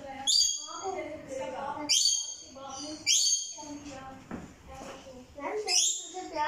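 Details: Rainbow lorikeet at play inside a bedroom, uttering piercing, shrill, harmonic squawks in separated bursts, some with quick downward sweeps, mixed with quieter chattering notes and a person talking in the background.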